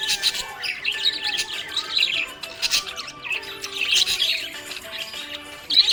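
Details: Happy budgerigar chirping in a quick, twittering chatter of high, scratchy notes in uneven bursts, with a song playing underneath.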